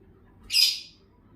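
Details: A parrot being mischievous gives one short, harsh, high-pitched squawk that swells and fades within half a second against a quiet background.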